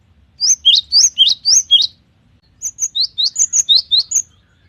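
A Cinereous Tit sings two quick bursts of high, ringing two-note phrases, each repeated about five or six times in rapid succession, with a short pause between bursts.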